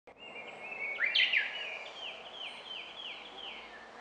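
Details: Japanese bush warbler singing at Takahata Fudoson temple: a long, steady whistle breaking into a loud, twisting flourish, then quick downslurred notes about three per second, over faint background hiss.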